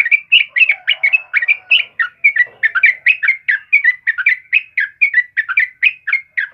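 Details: Vigorous chattering song of a yellow-vented bulbul for prompting caged birds: evenly spaced, rapid chirps that dip and rise in pitch, running without a break for the whole stretch.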